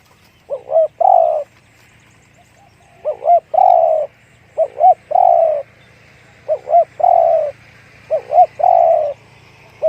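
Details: A spotted dove of the one-kook, big-voiced style repeats its phrase four times, about every two and a half seconds. Each phrase is a wavering double note followed by a long, full coo, over a steady low hum.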